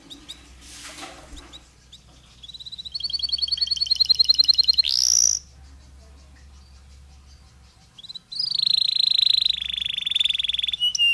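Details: Canary in a long song with pauses, played to stimulate other canaries: a bright trilled burst with rapid repeated notes, a rising whistle, a quiet gap, then another fast buzzy trill of repeated notes.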